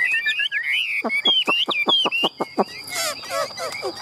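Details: Tame, hand-held Chinese hwamei singing in competition style: a rich run of warbled whistles, then a rapid series of steep downward-sweeping notes, about eight in a row, ending in tumbling varied phrases, with a man talking nearby.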